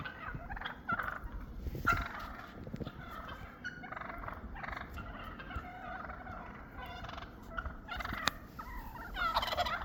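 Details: Several wild turkeys, flocking up after a snowstorm after months apart and establishing their pecking order, gobble in rapid, rattling bursts that overlap and repeat every second or two over a faint steady hiss.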